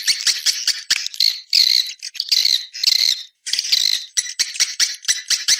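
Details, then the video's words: Swiftlets, from a 2020 external swiftlet sound: high, scratchy twitters in clusters of quick clicks and longer buzzy trills, separated by short pauses, including a brief silence midway. "Free Swiftlet External Sounds"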